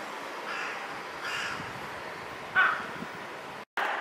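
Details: Jungle crow perched on an electric wire, changing between different kinds of calls; short hoarse caws roughly a second apart, the loudest near the middle, over a steady background hum.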